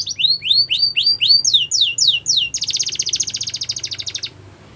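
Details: Wild yellow canary song: clear rising whistled notes repeated about four times a second, shifting to slurred downward notes, then a long rattling buzzy trill that ends the phrase.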